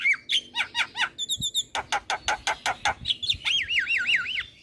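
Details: Black-winged myna used as a lure to get young birds singing: a varied, loud mix of harsh squawks, a rapid run of clipped notes, and wavering whistled trills around the middle pitch range.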